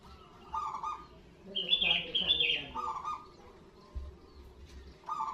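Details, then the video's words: Local zebra dove in loud cooing, used to prompt other zebra doves to call and to lure them. Soft pulsed coo phrases recur every couple of seconds, overlapped midway by a louder, higher, rougher burst of sound. "PERKUTUT LOKAL SUARA BESAR"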